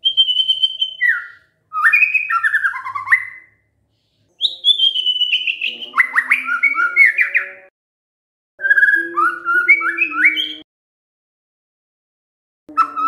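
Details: White-rumped shama singing as a lure for other shamas to answer, delivering several varied phrases of clear whistles, slurred rising notes and lower harmonic tones, each phrase separated by brief silences.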